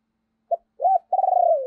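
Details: Spotted dove as a decoy bird, calling to make others coo: a short clipped note, an arched coo, then a long pulsating coo that drops at the end.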